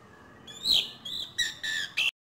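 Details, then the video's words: Young Asian pied starling learning to vocalise, giving a short series of harsh, buzzy, whistled notes that end abruptly. "Jalak Suren Belajar Bunyi."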